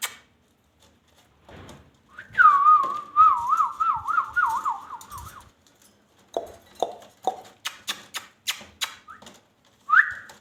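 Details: Pet ringneck parakeet kept with its owner, giving a wavering, warbling whistled tone for about three seconds, then a run of sharp clicks and taps, ending in a short rising whistle.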